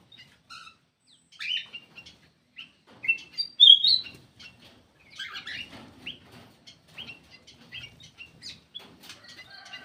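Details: A lure call from a black-crested bulbul, with scattered chirps and short whistles, one loud slurred phrase near the middle, and busy softer chatter toward the end.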